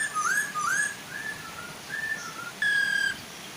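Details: Female and male Chinese hwamei singing to coax young hwamei into joining in, over a soft waterfall: clear whistled notes sliding upward, repeated in quick pairs, then level whistles and one long flat whistle, with a steady hiss of falling water.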